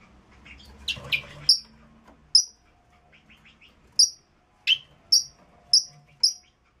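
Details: Mating-stimulation song of the red-rumped parrot, given as crisp downslurred high chirps repeated roughly every half second, after a brief noisy start with rustling.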